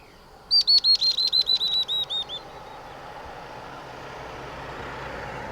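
A Spectacled weaver gives a quick run of about a dozen high, sharp notes over two seconds, slowing slightly, against a steady low rumble of distant traffic.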